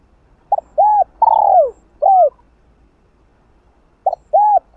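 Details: Spotted dove giving hạp bổi-style urging coos to rouse other doves. Two short hoots, then an arched, descending long coo and a final short note. A fresh phrase begins near the end. Clean, quiet recording.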